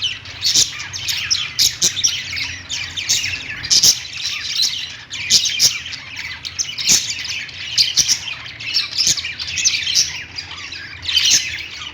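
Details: A flock of parakeets chattering on a pet-store perch, keeping up a long, steady stream of high, rapid chirps and warbling notes, with frequent louder clicks and squeaks and a low background hum.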